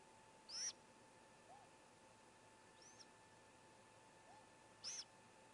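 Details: At a nest of four great gray owl owlets, a sibling seemingly cheering as the youngest swallows a whole vole; two loud high rasping screeches four seconds apart, with faint softer squeaks between.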